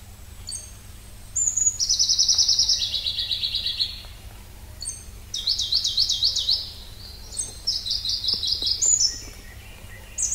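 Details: Pallas's leaf warbler (Phylloscopus proregulus) delivering high-pitched song phrases: sharp introductory whistles followed by long rapid rattling trills that drop a step in pitch, three bursts with short gaps, against quiet background hum.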